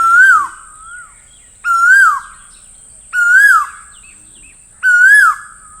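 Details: Four clear whistled Asian koel calls, each a quick rising then falling note, repeated about every one and a half seconds against a quiet background.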